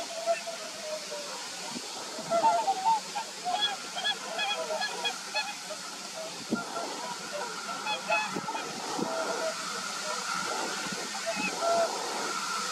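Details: Whooper swans at Hraina on 6 December 2019: a flock giving overlapping honking, bugling calls, with a constant low background rumble.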